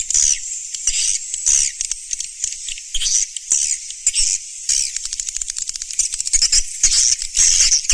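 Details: Surya Mentari swiftlet calling, 2019: squeaky, high-pitched chirring phrases roughly twice a second, broken up by dry rattling ticks, with buzzy trills repeating throughout.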